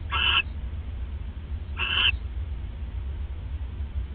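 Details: Owls bonding at a nest at 1:26 AM, 29 December 2014, captured by a live nest camera. Two short, raspy, harmonic calls about 1.7 seconds apart, then only a low steady hum.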